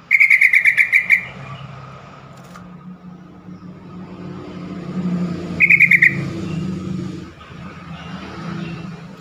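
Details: Yellow-vented bulbul call intended to provoke quick answers and get stalled birds calling: a fast buzzy rattle at the start and a shorter one mid-way, over a steady low hum and faint background noise.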